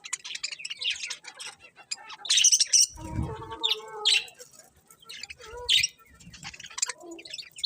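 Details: Chirping colourful budgies: a steady flow of high, scratchy twitters and sharp tweets, with one louder low-pitched squawking burst in the middle of the chatter.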